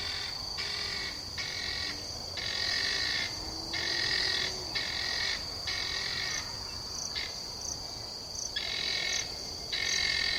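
Guineafowl giving harsh, rasping calls in rapid repeated bursts against a steady high insect buzz.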